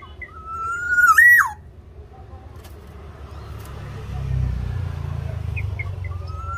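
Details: Black-naped oriole from Java singing energetically, used to prompt a reluctant captive oriole: a single rich whistle rising then falling sharply, followed by a passing vehicle rumble and faint later notes.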